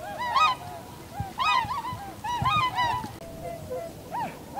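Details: Tundra swans in a winter flock on 7 February 2015, recorded while landing and flying off, some in V-formation, using a Canon PowerShot SX60 HS with an external microphone. Several overlapping honking, bugling calls with rich harmonics come in bursts about every second.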